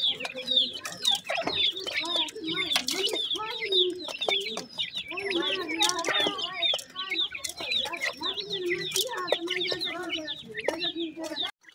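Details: Grey francolin chicks while feeding: dense, overlapping high thin peeps and chirps, rapid and nearly continuous throughout, over a lower murmuring voice-like sound underneath.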